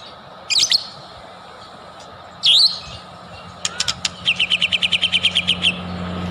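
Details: White-rumped shama used as a singing lure: two separate twisting whistled phrases, then a few sharp clicks leading into a quick, regular series of short bright notes, with a low hum in the background.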